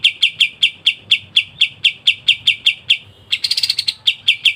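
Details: Kapas tembak master bird singing ngebren rapat: steady chain of bright chipping notes about four per second, broken by a short burst of faster, higher, buzzier notes, then resuming.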